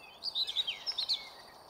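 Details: Yellowhammer (Emberiza citrinella) at Ljubljana Marsh, Slovenia, 20 May 2023: a quick run of six or seven thin, high, sharp notes packed into about one second, over a soft background hiss.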